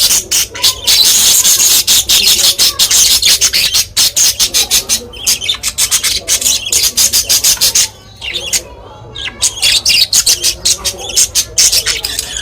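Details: Captive pet budgerigar family of mother, father and baby chatter in a dense stream of bright, scratchy chirps and warbles.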